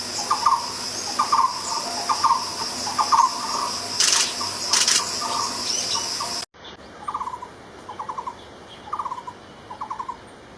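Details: A barbet repeats brief, fast trilled bursts, first over loud high insect buzzing and then, after a cut, against a quieter background.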